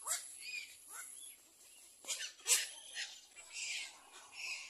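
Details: Little egret tending four babies at the nest; rasping, hoarse calls with a few rising squeals early, then a loud sharp burst and grating chatter, accompanied by a continuous high whine.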